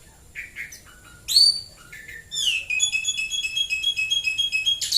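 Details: Murai batu, the white-rumped shama, singing in the morning near Prambanan, Klaten. A few short sweeping whistles lead into a long, rapid, even trill of high repeated notes lasting over two seconds.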